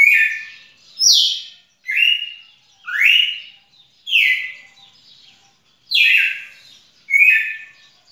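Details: Red-cowled cardinal delivering crisp whistled song notes, alternating falling slurs with rising ones, seven phrases spaced about a second apart with a short gap midway.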